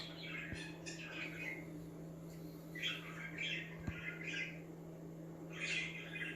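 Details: Budgies chirping to stir other budgies into activity, scattered short scratchy chirps and warbles in loose bursts with pauses, a low indoor hum and a couple of soft clicks beneath.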